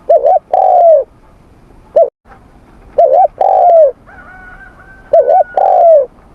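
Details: Spotted dove cooing in morning voice training, the phrase repeated three times about every three seconds: a brief wavering note then a drawn-out, slightly falling coo; a single short note between phrases and a faint steady whistle in the background.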